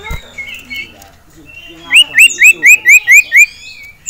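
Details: Caged male common iora (sirtu), agitated at seeing a rival and a female. It gives a quick series of seven loud, sharp, rising whistled notes, evenly spaced about a quarter second apart, after a quiet start.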